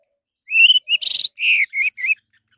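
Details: Song of an orange-headed thrush, played as a lure for other birds: a rising whistled note, a harsh buzzy burst, then several slurred whistles, all within about two seconds.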